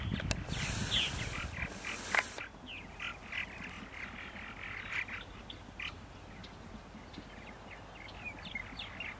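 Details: Purple martins on a spring morning, April 14, 2012, in Center Moriches, Long Island, New York: a loud gust of wind or handling noise for two seconds, then steady quick chirps and twitters, several per second.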